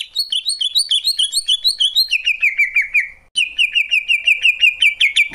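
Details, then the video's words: Rapid, even series of short slurred whistled notes from a Greater green leafbird, starting higher and dropping to a lower repeated note, a brief break, then a fast trill-like run of chips. "Cucak ijo, suara kicauan burung yang indah."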